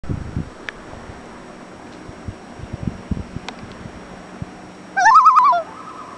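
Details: A common loon, heard from a kayak, gives a short, loud, quavering call that wavers rapidly up and down, then trails off into a lingering, far-off echo after soft knocks and water sounds.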